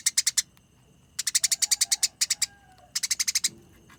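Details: Fighting Eurasian tree sparrow, tarung-style nyerecet chatter: several short clusters of sharp, evenly spaced rasping notes, each cluster of five to twelve notes, with faint low tonal sounds heard faintly in the background.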